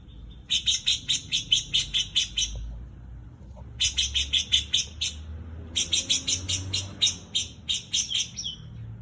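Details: Greater green leafbird mimicking a white-eye, giving repeated bursts of rapid, sharp, high-pitched chip notes, each phrase lasting a couple of seconds with pauses between, over low rumbling background noise.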